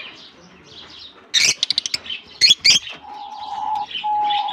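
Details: Lovebirds let into their colony for the summer season in Germany give a rapid run of scratchy chirps, then a few louder squeaks, followed by a long steady whistle; wingbeats possible.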